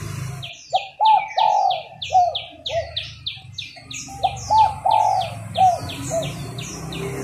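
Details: Female spotted dove calling to prompt males into singing, giving mellow two- and three-note coos in bursts, overlaid by a rapid series of thin, high, descending chirps from another bird.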